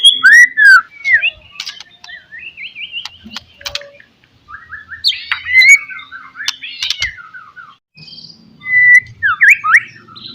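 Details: White-rumped shama song used as a lure to provoke rivals, full of varied whistles, quick stepped note runs, buzzy squawks and loud sharp phrases, with short pauses and a faint low rumble near the end.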